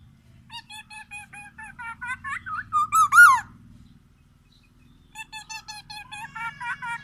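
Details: Black-naped oriole in song, Aceh bird from Sumatra, copying white-rumped shama: steady series of short clipped notes building to a loud twisting whistle, a pause of about a second, then another rapid note series.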